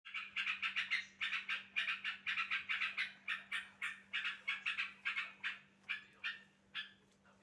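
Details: Sooty-headed bulbul call played to make another bulbul answer, a fast series of harsh, chattering 'chuk' notes, about three per second for seven seconds, slowing and spacing out toward the end, with a steady low hum beneath.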